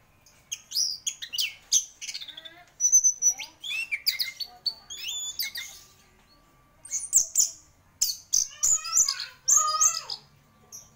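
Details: Orange-headed thrush, described as a champion bird singing in gacor style: a rich, rapid medley of high whistles, buzzy trills and sharp chirps in bursts separated by brief pauses, with a faint steady hum underneath.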